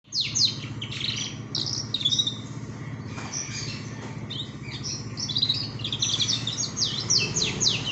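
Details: Young male canary learning to sing: thin, scratchy twitters and quick rising chips in loose, irregular bursts, over a steady low hum.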